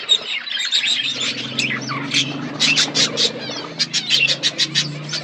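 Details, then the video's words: Budgerigars in a colony setup: warbling chatter followed by quick series of sharp repeated chirps, over a steady low hum. "Budgies colony setup birds chirping sound"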